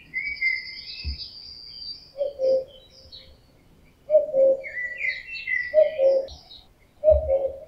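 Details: Summer song of a male common cuckoo in breeding season, a far-carrying low two-note cu-coo repeated four times roughly every 1.5 seconds, while other small birds chirp and whistle higher up.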